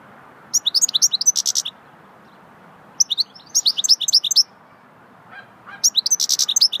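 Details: Goldfinch delivering swittey-style song in three rapid bursts of high, tinkling, chattering twitters, each lasting one to two seconds and separated by short pauses, against a faint low background hum.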